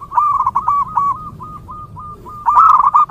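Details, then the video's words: Local wild zebra dove, recorded for attracting other zebra doves, giving a string of quick hooked cooing notes that thin out into well-spaced coos before a louder burst of rapid notes at the end. "PERKUTUT LOKAL GACOR DI ALAM LIAR"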